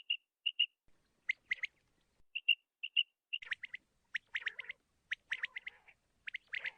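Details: Common quail calls: crisp paired whistled notes, clear and high, repeated about every half second, alternating with bursts of dry, scratchy chattering notes.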